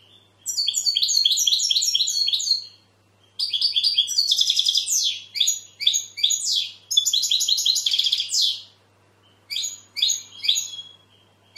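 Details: Powerful goldfinch song in phrases of fast liquid twitters, chirps and buzzy notes, broken by short pauses, with a faint constant low hum in the background.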